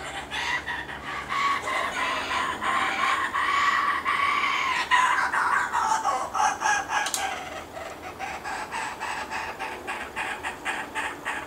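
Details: Laughing Kookaburra, a parent feeding its chicks at a regular feeding spot beside bushland: a run of loud, harsh, chattering notes that dip midway, then a quick rhythmic chuckle of about three notes a second.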